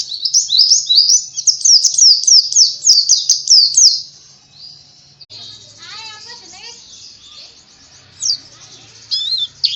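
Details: White-eye (pleci) song of quick high chirps in a fast run for about four seconds, then quieter with distant voices and background chatter, before a few more sharp high notes near the end.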